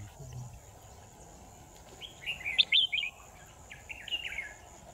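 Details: Decoy red-whiskered bulbul in a trapping setup, 10 December 2018, gives two lively phrases of chirpy, slurred whistles, the first louder and more twisting, the second softer, over low background hiss.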